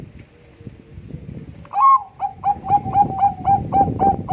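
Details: Bangkok-type Zebra dove in full contest-quality song, used as a lure: a soft low murmur, then a rising opening note and about nine short hooked coos in an even, quick series.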